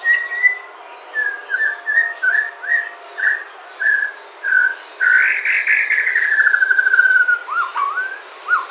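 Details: Sumatran white-rumped shama singing as a prompt for other shamas: a steady series of short whistled notes about every half second, then a long harsh buzzy rattle, ending with a few quick slurred whistles over faint background hiss.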